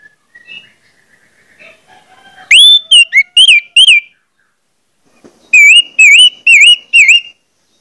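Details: Orange-headed thrush song played as a lure to get other orange-headed thrushes singing quickly. Loud, clear whistled phrases: a rising note, then a run of wavering slurred whistles, a pause, then five more wavy whistles in quick succession.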